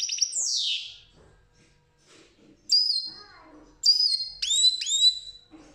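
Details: European goldfinch singing, recorded 8 June 2019: a long, high, down-slurred whistle, then a pause, then sharp bright whistled notes and quick up-sweeping slurs with softer twittering between phrases.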